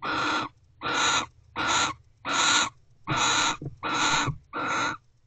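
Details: Mating barn owls in nest box Owl Box C, 12:44 am, 29 December 2023. Seven harsh, screechy hisses of similar length come at a steady pace, about eighty a minute, over a quiet low hum.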